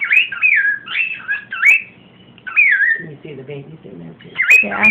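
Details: Pet cockatiel talking, saying "come here" to baby cockatiels: quick whistled, slurred phrases that rise and fall, repeated several times, with a person's low voice murmuring in the middle and a final burst of mimicry.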